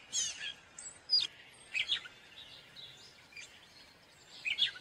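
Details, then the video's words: Gray catbird song with scattered squeaky chirps and scratchy notes in bursts, some faint, against a background of light environmental noise. "Gray Catbird Call / Song / Sound"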